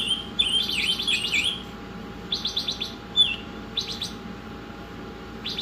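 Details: Oriental magpie-robin used as a tutor songbird, giving a slurred whistle followed by rapid rattling bursts of stacked notes, repeated in short groups separated by brief pauses, with constant background hum.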